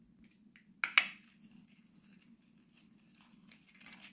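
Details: Six-day-old rescued tit chicks being fed at a wild bird rescue in Brilon, Sauerland, on 25 May 2024, orphaned after their mother abandoned the nest box; thin high squeaky calls, two longer ones, amid clattering handling noises and a low hum.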